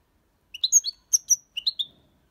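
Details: Fragment of Malaga-copy song from a six-month-old European goldfinch: three small clusters of clear, high, slurred chirps, each cluster of two or three notes, in a quiet setting.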